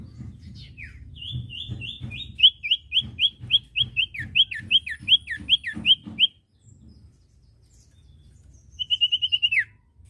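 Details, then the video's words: Common iora song used to tutor caged birds: a long, steady series of about fifteen whistled notes, each sliding downward, then a short silence and a brisk high trill ending in a downward slur. "masteran burung cipoh bahan II masteran cipoh sirtu bahan"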